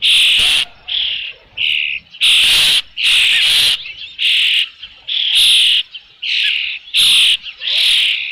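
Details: Repeated shrill whistled cries from an Osprey at the Dunrovin Ranch nest with fish, 3 June 2018, about 5 PM; a steady series of loud half-second notes, roughly two per second, evenly spaced.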